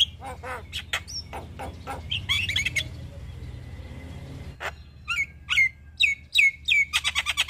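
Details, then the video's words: Javan myna, white-eyed form, singing hard with full fills and nodding: scattered sharp clicks and whistles, then from about five seconds a run of clear downward-sliding whistles repeated roughly every half second, ending in fast ticking notes over low background hum. "Kicauan Jalak kebo Mata Putih Gacor Full Isian Manggut2"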